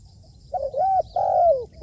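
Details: Trained decoy spotted dove used to lure wild doves: a wavering coo, then a long smooth note falling at its tail, and the start of another coo at the end.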